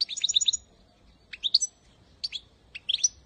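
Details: Goldfinch training song aimed at baby birds: a quick cluster of repeated bright chirps, then short twittering phrases spaced by brief pauses, with a soft background hiss.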